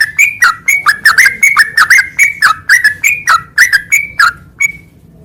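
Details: Sooty-headed bulbul song for training caged birds: lively, bubbly whistled phrases, each a short rising note falling into a lower slur, given in a steady string of about fifteen before a final drawn-out whistle.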